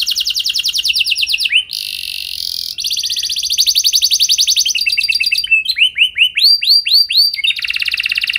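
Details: Canary lure song intended to set other canaries singing: long rapid trill tours, a harsh raspy section, more rolling trills, then rising looping whistles and a closing buzzy roll.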